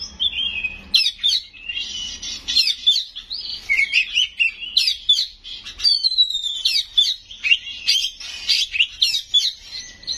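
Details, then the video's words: Kacer, or Oriental magpie-robin, singing 'gacor' with inserted 'isian' phrases and loud 'nembak' notes: a continuous stream of varied high whistles, trills and slurs for ten seconds, briefly over a low hum at the start. "Suara Burung Kacer Gacor full isian Nembak"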